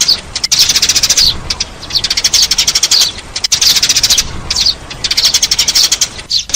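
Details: Eurasian tree sparrow calls for luring birds: rapid bright chirp trains about every three seconds, dense and overlapping, with brief quieter breaks.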